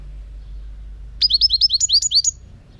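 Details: Song of a European goldfinch, 2018: a single rapid run of about ten bright, high, upslurred twittering notes lasting roughly one second, over quiet background.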